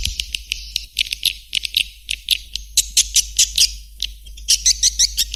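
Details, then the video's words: Lure sound meant to draw swiftlets, a series of short, sharp high clicks and chirps repeated at uneven intervals, clustering into quick bursts of three to five toward the end. "Suara Panggil Burung Walet"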